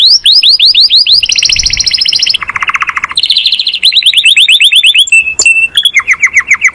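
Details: Master canary song, described as calling friends and fighting: fast rolling trills switch between high and low pitches, buzzy rattles, a brief pure whistle, then descending repeated chips.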